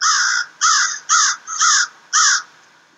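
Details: Several American crows, a group of three that regularly visit a wooded backyard forest, giving a series of five harsh, loud caws in quick succession, each about half a second long.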